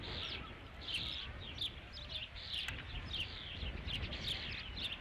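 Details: Osprey calling at the Dunrovin Ranch nest on 3 July 2016, about 20:39, as the fifth fish arrives. Rapid run of shrill, slurred whistled chirps, roughly two per second, with a low rumbling background.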